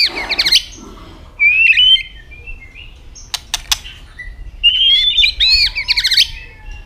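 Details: White-rumped shama in fighting song: a quick high trill, then a clear rising whistled phrase, loud sharp clicks, and a long run of high, sweet whistles with rolling, warbled notes.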